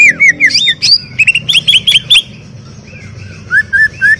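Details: Varied, energetic song of a greater green leafbird: slurred, swooping whistles and quick ringing notes in rapid succession, ending with a few softer descending whistles.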